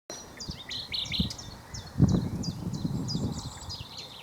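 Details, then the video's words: Common nightingale singing in the sun, giving a series of short, sharp high notes repeated roughly every half second, over heavy low rumbling and handling noise. "A Nightingale Singing in the Sun"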